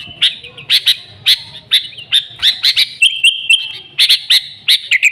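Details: Lively singing of sooty-headed bulbul, an original recording for luring the species: quick clusters of sharp chirps and buzzy notes, with a level whistled phrase held for about a second near the middle.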